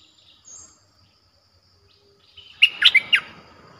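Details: Streak-eared bulbul sound used to call in wild birds, described as fierce. After near silence, a quick burst of three or four loud, bright chirps runs together near the end.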